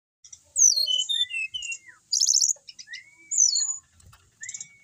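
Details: Caged brown-chested jungle flycatcher, a settled bird that keeps singing whatever is done to it: high thin whistled slurs and descending notes, a buzzy rattling burst in the middle, then rising whistles, with short pauses between phrases.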